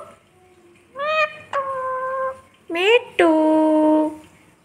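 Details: A pet talking parrot, with a person repeating its name nearby, gives four drawn-out, nasal, voice-like calls in pairs, each rising then held steady, across about three seconds. A low room hum sits underneath.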